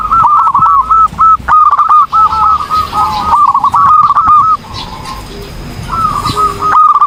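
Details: Zebra dove singing actively for a training recording: long, fast sequences of clipped, bubbling coos that run almost unbroken for several seconds, then a final burst after a short lull.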